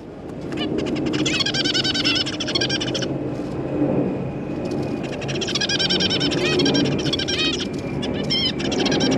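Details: Caged zebra finches, black-cheek variety, recorded 25 June 2023 while parents feed three juveniles and three newly hatched babies: dense bursts of rapid, buzzy, harmonic chattering calls in two long runs, over a steady low hum.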